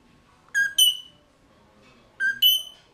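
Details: Captive mulga parrots, restless birds, recorded from inside their cage by a GoPro Hero 3+ one November morning in 2014; two matching two-note whistled phrases, a short lower note then a longer bright higher one.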